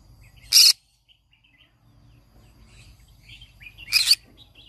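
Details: Loud rasping shriek from a green-cheeked conure, then quiet with soft chirps, then a second rougher screech, part of its everyday morning singing.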